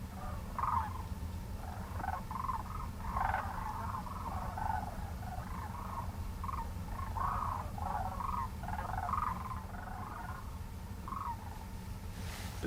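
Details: A flock of Sandhill cranes (Antigone canadensis) migrating overhead in Woodland Caribou Provincial Park wilderness gives distant overlapping rolling, trumpeting flight calls that rise and fall continuously, over a steady low wind rumble.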